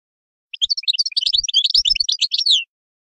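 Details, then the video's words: A European goldfinch delivers a quick jumble of high, tinkling chirps and twitters, closing on a short, falling, buzzy note. "تغريد حسون"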